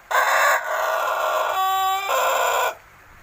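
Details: Young Pelung rooster about six months old, still learning to crow: a loud harsh crow of about 2.6 seconds in three sections, the middle part a clearer tonal stretch with stacked harmonics, ending abruptly.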